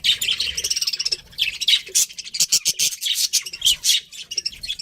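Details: Breeding pair of pet budgerigars chirping steadily: a fast run of high, even chirps at first, then louder buzzy warbling chatter with sharp clicky notes throughout.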